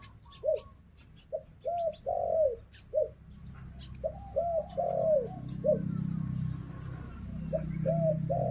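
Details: A female Spotted Dove kept as a breeding decoy hen gives soft, low, rounded coos in short irregular bursts, with faint chirps from other small birds and a low rumble behind.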